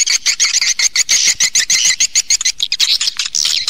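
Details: Swiftlets calling, stereo call-and-roost sound: a fast, steady run of short, high, buzzy chirps, several each second, kept up without pause.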